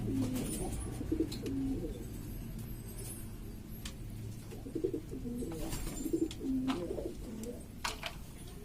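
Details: Domestic pigeons of assorted breeds from East Lombok, West Nusa Tenggara, noisy among themselves. Short, low coo notes are scattered through the stretch, softer and broken, under steady low hum and occasional clicks.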